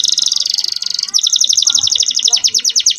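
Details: Canary song used as tutor material for young canaries and to bring females into breeding condition: a high fast trill of pulsed notes, then a quicker run of bright chirps sliding downward, loud and continuous.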